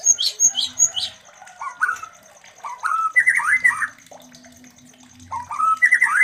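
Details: White-rumped shama mating sounds meant to raise breeding urge in other shamas: three sharp high chirps, then several rising whistled slurs in small bursts, separated by quiet gaps, over a faint steady hiss.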